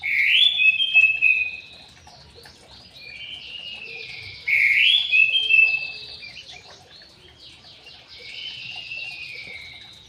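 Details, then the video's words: Aviary-kept white-rumped shama repeating the same phrase twice: a rising whistle followed by a buzzy, rattling trill, each phrase trailing into softer notes. "BURUNG MURAI BATU DI AVIARY"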